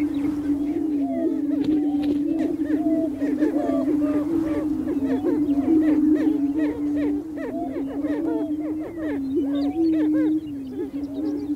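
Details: Greater prairie chickens displaying on a spring lek on North American prairie: a steady low hooting drone from many males runs throughout, overlaid by dense, rapid cackles and upward-swooping whoops from several birds.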